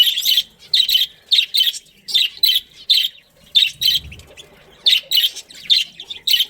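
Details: Budgerigars from a breeding family group give rapid, rasping chirps in quick rhythmic bursts, around two each second, with a short low thump in the middle.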